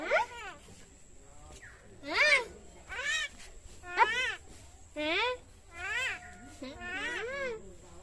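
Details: Common myna imitating speech: repeated arching, wavering syllables about once a second, each rising then falling, with a few softer scratchy notes between them.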